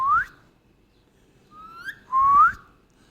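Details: Indian ringneck parrot giving clear whistled rising notes, three in a row separated by short pauses, the last longest, in a quiet setting with faint low rustling.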